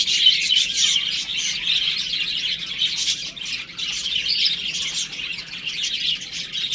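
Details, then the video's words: A group of baby chicks at home, chirping nonstop in quick, shrill, tightly packed notes that blend into a lively, uneven twitter. "Cute Baby Chicken Chirping Sounds"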